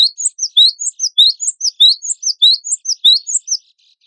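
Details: Cinereous tit song of crisp, high see-sawing whistled notes repeated steadily, about one and a half notes per second on each pitch, bright and clean.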